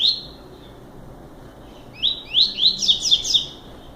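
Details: Double-collared seedeater giving a short song: a single whistled note, then after a pause a quick run of sharp, bright, rising chirps lasting about two seconds over faint background hiss.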